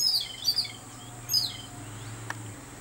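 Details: Babbler excited on seeing a cat: two quick bursts of sharp, high squeaky chirps with falling tails, against a low steady hum and faint background hiss.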